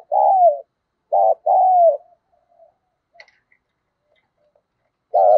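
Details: Decoy spotted dove cooing to lure wild doves: two two-part phrases of a short coo and a longer falling coo, a quiet pause with faint clicks, then a new phrase beginning.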